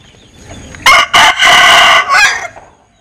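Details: Linh Kê chicken crowing with an odd voice: two brief harsh notes, a long buzzy hoarse middle note and a short final burst.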